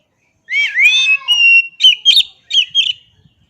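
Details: Oriental magpie-robin singing one loud, clear phrase: a swooping whistled opening, a held even whistle, then a few sharp, rising-falling notes, with no other sounds.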